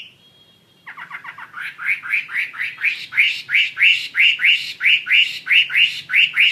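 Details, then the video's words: Chinese hwamei singing: after a brief steady whistle, a long series of regular down-slurred notes repeats steadily, about one and a half per second, growing louder, with faint low background hum. "SUARA KICAU BURUNG HWAMEI WAMBI GACOR"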